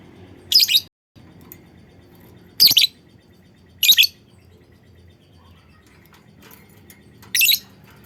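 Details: Lovebird call meant to get other lovebirds singing: four shrill, raspy double chirps, three in quick succession then a pause before the last, over a quiet background.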